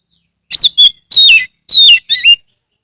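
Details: A lure song to set other magpie-robins singing, loudly delivered by an owned Oriental magpie-robin in Kebumen, Central Java, Indonesia. Four bright whistled phrases follow quickly, each sliding downward in pitch, with no other sounds behind them.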